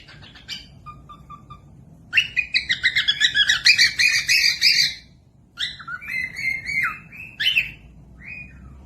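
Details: Cockatiel song used to teach lazy parrotlets to sing: soft thin peeps, then a burst of rapid buzzy chirps about three seconds long, a pause, and a run of rising whistled squeaks with a drawn-out note.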